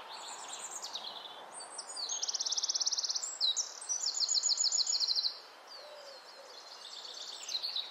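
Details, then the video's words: Wren in nesting season, which starts in late April, probably singing to its mate; loud, rapid high trills and bursts of sharp repeated notes run for several seconds, then pause briefly before the song resumes. "Wren singing"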